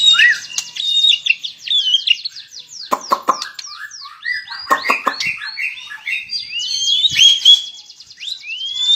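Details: Melodious white-rumped shama song, a long flowing string of clear whistles that swoop up and down, broken by sharp clicking notes and quick high trills, continuous for nine seconds.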